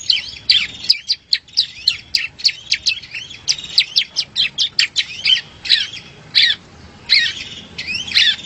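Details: Bar-winged prinia song for training competition birds: lively, irregular high chirps and slurred notes in clusters, some close together, others spaced half a second apart, with faint low background noise.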